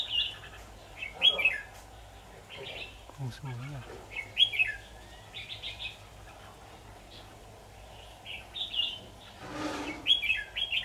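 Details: Red-whiskered bulbul used in trapping with a decoy bird, recorded 23 October 2019; short bright warbled phrases scattered through the clip, with a brief noisy burst near the end and a faint low hum behind.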